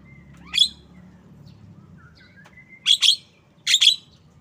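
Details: A Javan myna gives one rasping chirp, then two pairs of harsh doubled notes, with faint thin whistles and a low hum in the background.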